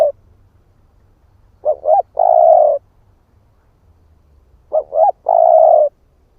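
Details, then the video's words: Male spotted dove cooing to lure other birds, delivering two clipped notes and then a drawn-out steady coo; two such phrases about three seconds apart, otherwise quiet. "Chim cu gáy ức chẻ thúc kích mồi | Tiếng chim cu gáy kích bổi"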